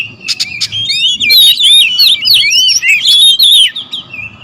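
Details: Territorial oriental magpie-robins clashing: a few sharp clicks, then a rush of bright whistled slurs and chirps from several birds, dense for about two seconds before thinning out, over a light hum.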